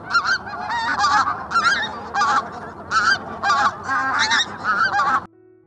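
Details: Pink-footed goose, a UK bird, giving a quick series of high, nasal honks, about nine in five seconds, overlapping in a lively, clamorous chorus.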